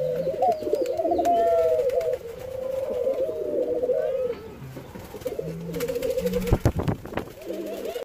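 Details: Jamaican white-crowned pigeons during hand feeding: wavering, warbling mid-pitched tones in bursts, with a low hum underneath and several sharp clattering clicks near the end.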